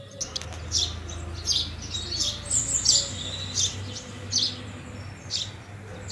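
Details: House sparrows at food chirping roughly once a second, with a high whistle from another bird midway and low rumbling background noise.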